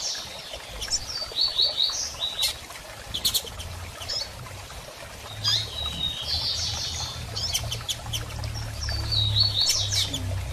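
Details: Female double-collared seedeater, excited and soliciting mating, giving short high chirps and thin descending whistled notes in scattered bursts, with a steady low hum underneath.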